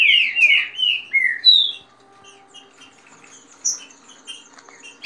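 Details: Captive green-winged saltators in a singing dispute: fast song in the rain-song style with female calls, used to warm up a bird. Slurred descending whistled phrases pour out for under two seconds, then thin high chirps scatter through a quiet stretch.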